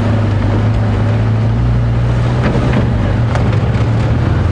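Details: Loud droning vehicle engine with a steady low hum and wind buffeting, on a morning safari drive at Djuma Game Reserve, no animal heard.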